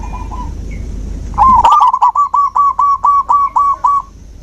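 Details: Zebra dove song, played as nature therapy for a dove that has stopped singing: a short low note, then a rapid run of about nine clipped cooing notes at an even pitch, roughly four per second, over a quiet background hum.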